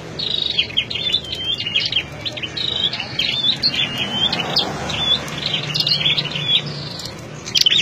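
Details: Captive flowerpeckers kept as lure birds in cages give thin, high ticking and chipping notes in quick, uneven bursts, almost without pause, over a faint low background hum.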